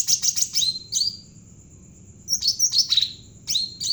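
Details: Singing Javan bulbul (cucak ranting) used as a lure for other birds: a fast run of sharp chirps, a downward whistle, then after a pause more chirps and falling slurred notes.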